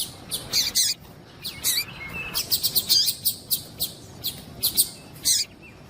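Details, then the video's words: Female double-collared seedeater calling to get the male to sing: sharp high chirps in irregular bursts, some in quick runs, with a few thin whistled notes between. "MELHOR PIADO DE FÊMEA DE PAPA CAPIM PARA DEIXAR SEU PAPA CAPIM DOIDO PARA CANTAR LOGO"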